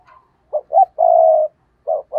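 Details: Decoy spotted dove giving the stuttering 'gù cà lăm' coo to provoke rivals: two short low hoots, then a long steady drawn-out coo, followed by another pair of short notes.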